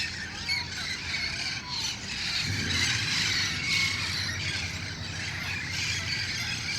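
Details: At dusk in El Cajon, a wild flock of red-crowned parrots assembles before roosting, giving continuous grating squawks and squeals from many birds at once, with a low hum underneath.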